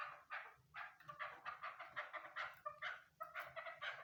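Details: Female chukar partridge giving a run of rough, cackling chuck notes in quick irregular succession, grating and broad, with a brief squeaky note midway.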